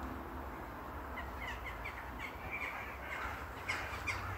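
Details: Flock of crows gathered at a castle, faint harsh caws overlapping from several birds against a steady low rumble of background noise.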